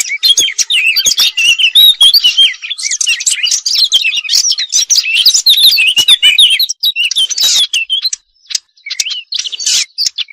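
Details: High, tinkling robin song of rapid twittering and trilled phrases, running steadily before breaking into shorter bursts separated by brief pauses near the end.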